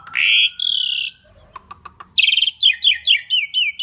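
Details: Asian pied starling song for luring other birds: two long harsh buzzy notes, a few soft clicks, then a string of quick bright downslurred whistles.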